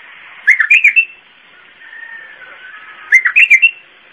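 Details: Iraqi bulbul repeating a Zamili-style phrase twice, each a rapid string of about five bright whistled notes, with a faint drawn-out lower whistle between them.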